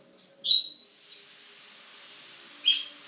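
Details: Two-week-old lutino rosy-faced lovebird chicks (Agapornis roseicollis) begging during hand-feeding: two short, shrill, squeaky begging calls about two seconds apart, with faint hiss between.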